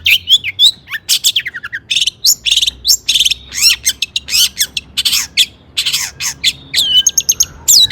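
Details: Long-tailed shrike giving agitated song to trigger singing in other shrikes: varied mimic-like phrases of sweeping whistles, buzzes and sharp chirps in quick succession.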